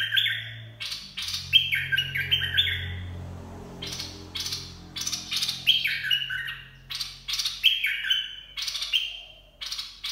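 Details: Bulbul, Dok Taeng style song for teaching young birds and luring: repeated sets of harsh chattering bursts followed by descending fluty whistled phrases, over a low rumbling hum.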